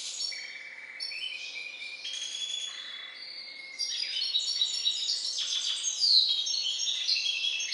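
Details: Captive hybrid finch fathered by a Balkan goldfinch sings a loud, varied song opening with steady whistled notes, then fast rattling trills, twittering runs and sharp high chips growing stronger toward the end; a soft hum lingers.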